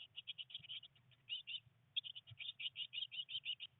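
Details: Day-19 blue tit young, three in a nest box during much rain and early flight attempts, chirping rapidly and evenly, several high notes per second, in two clusters separated by a short lull.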